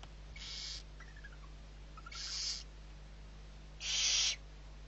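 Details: Barn owl chicks, six in the brood, at feeding time in the Riet Vell reserve, Ebro Delta, Spain, November 2023. Three rasping hissed screeches spaced well apart, the last loudest, with faint thin descending notes between the first two.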